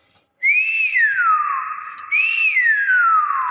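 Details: Nias hill myna whistling two matching phrases, each a quick upward sweep followed by a long falling glide, about a second and a half apart, clear and loud in a quiet room.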